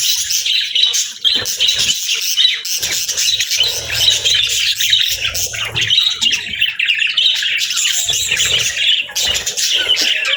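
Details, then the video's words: Budgies raising their chicks, parents feeding the young: unbroken, bright chirping and twittering from several birds, high and busy throughout, with a faint low hum in the middle. "Cute Budgies With Cute Chicks 🐦 | Adorable Moments & Chirping Sounds"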